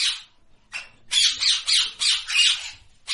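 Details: Rapid series of hoarse parrot squawks, about three a second, each harsh and noisy, rising loud after a brief quiet gap.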